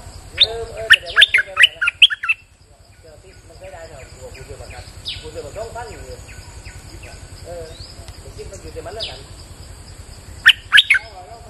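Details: A bulbul gives a lure song on a rainy day. A loud, warbling burst of varied notes opens the clip, a long stretch of softer chirping and low hum follows, and another bright burst comes near the end.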